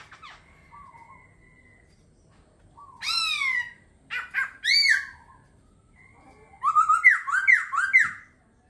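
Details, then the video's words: Singing laughingthrush: soft low whistles give way to loud sweeping downslurred notes in separate bursts, ending in a quick rolling series of rising and falling whistles. "Khướu hót hay."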